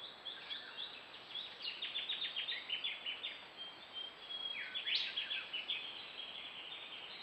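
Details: Yellow-rumped thornbill collecting wool for a nest, giving dense high twittering: clusters of quick thin chirps, a loud upward-sweeping note midway, then more rapid tinkling notes, light background hiss.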